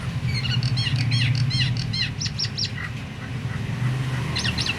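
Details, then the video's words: Myna calling to spur other mynas, even mute ones, into song; a rhythmic string of curved whistled notes about three per second, brief clipped calls, then a pause and a final pair, over a steady engine-like hum. "suara jalak ini bikin semua jalak ikut GACOR"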